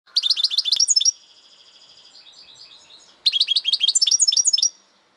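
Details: European goldfinch song: two bursts of rapid twittering, bright chirps repeated about four per second, separated by a softer sustained trilling passage; no other sounds.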